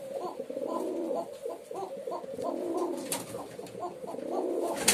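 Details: Male pigeon performing, heard as rapid overlapping low throaty coos that rise and fall several times a second, with soft rustling and a sharp click near the end, apparently indoors.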